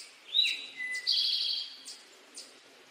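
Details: Male Eastern towhee delivering its "drink your tea" song: a high sliding note, a lower whistled note, then a drawn-out buzzy trill, followed by faint chips.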